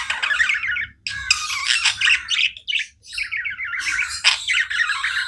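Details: Nonstop chatter from pet budgerigars: rapid buzzy, rattling warble phrases and harsh squawky chirps running almost without break, separated by two brief silences.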